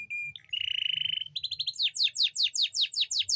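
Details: Canary song used to excite hens that are slow to mate: a pure whistle, a dense buzzy trill, then a quick rolling run and repeated falling sweeps a few times a second.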